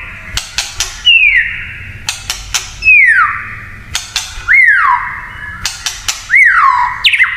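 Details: White-rumped shama, kretekan song that sets other shamas off: crisp click notes followed by long whistles slurring downward and holding a level tone, the pattern repeating four times at a steady pace.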